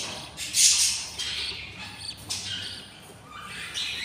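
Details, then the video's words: Budgerigar brood of six chicks, hungry in the nest on day 20: one sharp hissing rasp opens, followed by softer wheezy begging notes and a final harsh burst. "06 beautiful chicks are very hungry"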